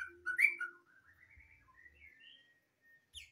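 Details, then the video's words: White-rumped shama in full song: a loud rich phrase of whistled notes near the start, then a quieter run of thin rising and falling whistles, ending with a short high chirp. "BURUNG MURAI BATU FULL ISIAN"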